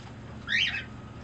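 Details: A single short, harsh, rasping squawk that rises then falls from a pet green-cheeked conure being affectionate and demanding. Quiet room hum underneath.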